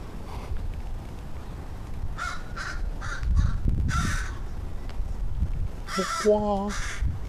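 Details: Two talkative crows on 14 August 2013, calling with bursts of hoarse caws, two close together, then a pair a second apart, and a late tonal warble; a person speaks quietly over steady low outdoor rumble.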